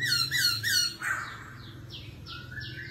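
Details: Laughingthrush competitive singing, forest voice with continuous voice changes ('kéo thuốc lào'): three squeaky, harsh rich notes, then a series of descending high chirps over a steady low hum.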